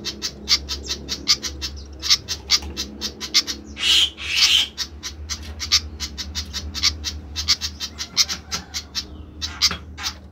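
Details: Noisy flycatcher: a brisk run of dry, harsh chips about four per second, interrupted near the middle by two drawn-out hissing rasps, with a low hum in the background.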